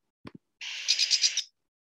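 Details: Lesser Goldfinch song including its flight call, a high, buzzy jiji-jijit chatter lasting under a second with about five quick pulses, after a brief low knock.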